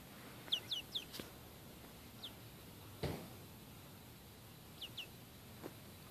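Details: Chickens kept as pets, out enjoying some outdoor time, give peeps: short, high, downward-sliding chirps in quick clusters of two or three, spaced a few seconds apart, with a couple of dull knocks between; one hen later attacks the camera.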